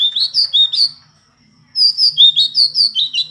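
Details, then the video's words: Indigo flycatcher chirping in a lively song: bursts of high, slurred whistles rising and falling, a pause of about half a second, then a fast string of bright, sweet notes repeated roughly three per second. "burung sikatan ninon/burung sikatan biru muda ngoceh"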